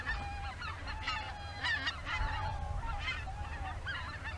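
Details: Greater white-fronted geese flying in a shifting formation near Izunuma, Miyagi, Japan, before dusk, heading out to feed once more; loud overlapping honking calls from many birds, rapid and irregular, with a low rumble beneath.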